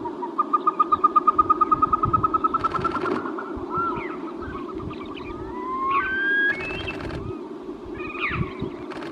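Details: Caspian snowcock opening with a quick run of repeated whistled notes, then several long rising and slurred whistles, broken by short bursts of broadband clicking, over a continuous low rumble.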